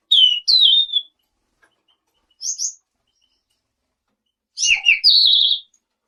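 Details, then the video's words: Selendang biru chirping song, used so other birds answer: quick descending high chirps, a short squeaky note, then after a pause a cluster of tumbling chirps and a whistled trail. "Suara burung SELENDANG BIRU GACOR"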